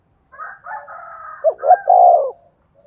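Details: Spotted dove decoy call meant to stir other doves into cooing. A higher, drawn-out wavering phrase opens the call and runs into a low double note and a long falling coo.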